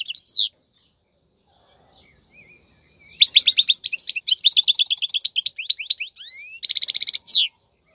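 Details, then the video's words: Wild European goldfinch khalwi song for training young birds: a high falling note, a pause, then quick rattling twitters, rising sweeping whistles and a dense buzzy trill closing with a falling note. "تغريد الحسون البري لتدريب الفراخ"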